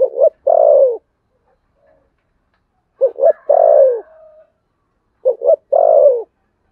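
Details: Spotted dove contest cooing in the Sấm Thổ voice style: three phrases of short double notes and a long falling coo, the middle phrase ending in a soft drawn note.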